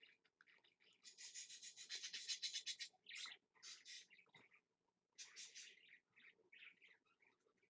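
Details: Pet budgerigar (parakeet), live-streamed and dated 2.10.15, pouring out a scratchy, buzzy warble of rapid chirps. A dense two-second burst is followed by shorter clicky, squeaky phrases with brief pauses.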